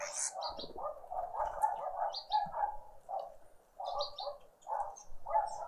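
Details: Green woodhoopoes at a family breakfast in a suburban Pretoria garden, South Africa, on a spring Sunday morning. Strong, grating cackles come in rapid clustered bursts with short gaps, while another bird adds sharp high twitters.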